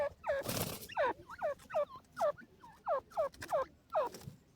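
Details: Grey francolin (desi teetar) calling: a steady series of harsh, downward-slurred notes repeated roughly every half second, with a burst of broad noise near the start and a noisy background.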